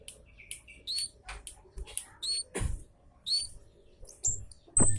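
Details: Javan munia lure call made of thin, loud 'citt' chirps at irregular spacing, mixed with soft knocks and thumps in the background.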